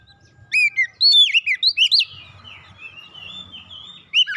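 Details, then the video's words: White-rumped shama singing, played as therapy for a stressed bird to recover; a quick series of loud whistled notes over one second, then softer warbling and a final sharp note, with low rumble behind. "terapi Kacer dan pemulihan Kacer setres cepat gacor"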